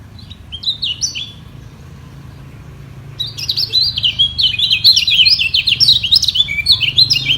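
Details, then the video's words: Rival white-eyes in a singing duel to hold the highest spot: a few scattered high chirps, a silent gap, then a dense, energetic stream of rapid twittering warbles to the end. "Demi Mempertahankan Posisi Kecial Kuning Ini Perang Suara Di Bawah"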